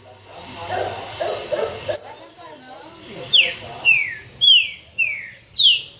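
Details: Green-winged saltator (pixarro) calling and giving its harsh "roncando" notes, described as agitated: sharp, downward-slurred whistled notes about every half second, after a brief stretch of human voices.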